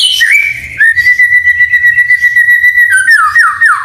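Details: White-rumped shama in full song with canary and cililin fill-ins, used to prompt and tutor other shamas. A long, steady, pure whistle is held for about two seconds, then breaks into quick falling slurred notes. A low pulsing hum runs beneath.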